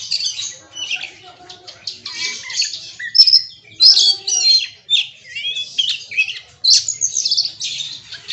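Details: Oriental magpie-robin performing its repertoire of learned phrases in loud, varied bursts of sharp whistles, squeaky trills and rising slurs separated by short pauses, with other birds faintly heard.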